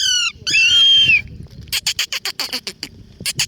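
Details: Parrots feeding on flowers: harsh, rasping squawks at first, one drawn out with a steady whistled tone, then a rapid series of short, scratchy chatter notes, about a dozen in two seconds.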